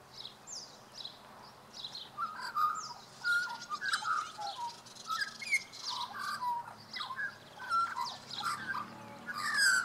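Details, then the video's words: Australian magpie in Tasmania carolling: a run of rich, fluting, warbled notes and rising glides, tumbling in quick varied phrases through about ten seconds, with faint high chirps above and a low steady hum underneath. "黑背鐘鵲 Australian Magpie"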